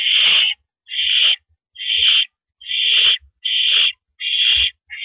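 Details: Owl perched on a porch, filmed live on the evening of April 9, 2012: six rough, hissing screams in steady succession, roughly one per second, with occasional dull knocks underneath.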